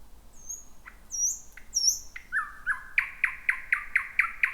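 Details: Thrush nightingale singing from thick bushes late at night, first of 2026: high whistles curling downward, a brief low note, then a fast regular series of loud knocking clicks.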